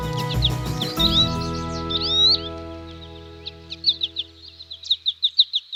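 Goldfinch song: quick, bright twittering notes, ending in a fast run of high chirps about five per second, over steady background music.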